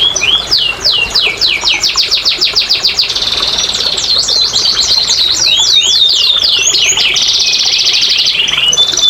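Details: Canary singing as a stimulation track for reluctant birds: series of quick descending whistled notes building into a rattling trill, then sharp up-and-down sweeps and a closing high trill.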